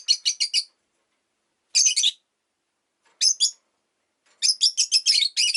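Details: Rosy-faced lovebird giving bursts of shrill, high, rapid chirps, four or five notes at a time, separated by brief silences, with street noise such as car and motorbike engines and passing bicycles in the background.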